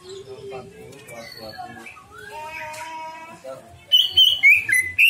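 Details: Greater green leafbird singing as a lure to draw out a full repertoire of learned imitations: varied murmured warbles, then a loud burst of sharp, high whistled notes rising and falling in quick succession near the end.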